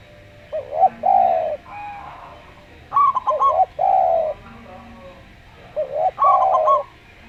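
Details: Local zebra dove with a slow song, giving short, rapid stuttering coos roughly every three seconds. They interleave with a Javan spotted dove's deeper, rounded, sustained coos over a quiet hum.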